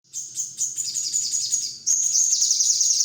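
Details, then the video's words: Sogon bird master song for training songbirds: a dense, high chattering stream of rapid trills and quick twittering notes, slightly louder and steadier in the second half. "masteran #burung sogon"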